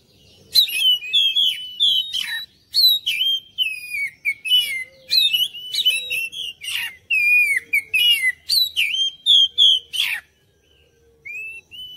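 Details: Oriental magpie-robin lure song to trigger singing replies from other birds: long varied sequence of loud whistles, downslurs and harsh notes in quick phrases, pausing briefly near the end before a final rising whistle.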